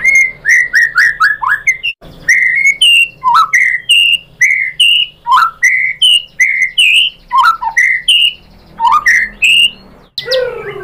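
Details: White-rumped shama delivering lure song: a rhythmic chain of clear whistled notes, each rising or falling, about two per second with short gaps, closing with a harsher burst.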